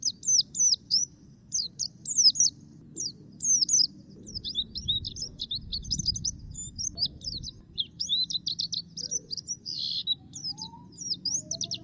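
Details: Lively, sustained twittering from a black-capped white-eye: rapid high slurred and jagged notes in bursts, growing denser and more continuous, with faint low rumbling in the background.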